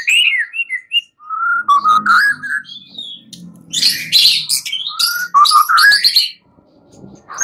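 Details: Night-time white-rumped shama song used as a lure to make other shamas respond: rich, varied whistled phrases mixing low fluty slurs with harsh high buzzy bursts, delivered in rapid uneven sequences.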